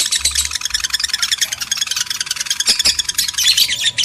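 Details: Rapid, crowded high-pitched twittering of lovebirds, meant to excite males and females into breeding, with chirps tumbling over one another continuously for four seconds.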